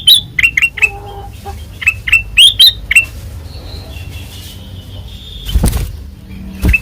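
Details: ['A white-eyed ruby-throated bulbul (kutilang emas) in full ngeplong song gives a fast cluster of bright, sharp whistled notes over about three seconds. Near silence follows, with a couple of low thumps and one final note.']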